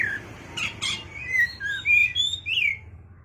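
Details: White-rumped shama calling a rival: a run of clear whistled notes, some rising and some falling, building louder toward the end after two brief harsh bursts, recorded in a quiet room.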